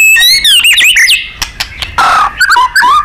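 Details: White-rumped shama, a loud, lively nembak-style training recording for contest birds: quick slurred whistles tumbling downward, clicks, a short harsh burst, then low falling whistled notes.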